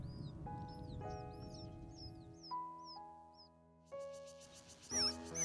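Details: A newly hatched Taiwan ring-necked pheasant chick, separated from the nest while the hen is away, gives thin, high, down-slurred peeps, roughly two a second, that go unanswered, over soft background music.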